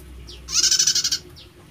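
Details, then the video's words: Prinia with an unusual voice, giving a single harsh buzz of about ten rapid pulses lasting under a second, framed by two faint, short, slurred notes. "Prenjak Suaranya Unik"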